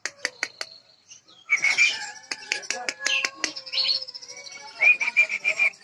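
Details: Bird known locally as Jambu, from West Nusa Tenggara, champion at a Bima contest: staccato ticking notes open into rich, rapid warbling with repeated whistled phrases and a bright trilled ending.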